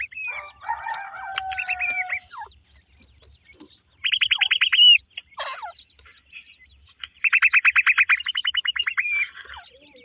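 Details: New-season black francolin chicks give quick trills of clipped descending notes, two rattling series of roughly a second each, preceded by a drawn-out wavering whistle and a few sharp chirps.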